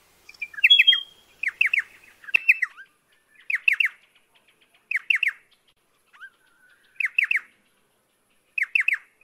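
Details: Pardalote, a small bird of lower ground near water: a sharp phrase of three quick descending notes, repeated roughly every one to one and a half seconds, with a few softer notes between phrases.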